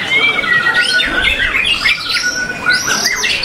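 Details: White-rumped shama, a caged breeding bird still productive at an Indonesian breeding farm, competing at a song contest and taking second place; clear sweeping whistles and looping warbled notes over a background chorus of other competing songbirds.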